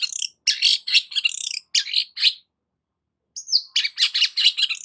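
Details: Vigorous Long-tailed shrike song used as a lure for stressed shrikes; dense continuous scratchy chattering with squeaky high notes, a silence of about a second, then another rapid harsh burst.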